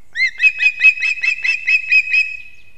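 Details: Osprey at a nest in Kurzeme, Latvia, on a live nest camera at 6:40 am on 3 September 2024. The male is bringing two fish at once to the chicks. About nine sharp, whistled chirps come in a quick, even series, with no other sounds.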